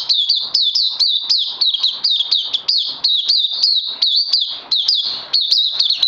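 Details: On 31 May 2020, a kept oriental white-eye (puteh) on its second supplement day sings a relentless, high-pitched twitter of quick, sharply bent chirps, about four per second, loud and clear throughout.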